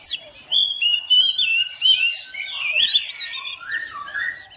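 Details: Oriental magpie-robin kept at home, quickly responding to another bird and breaking into continuous song; bright sliding whistles and warbled notes run together, with a few lower buzzy phrases at the end.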